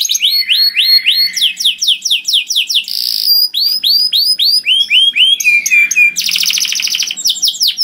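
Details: Canary singing loudly and melodiously to draw in other canaries, with series of arching whistled notes repeated four times a second, interrupted by bursts of dense buzzy trilling.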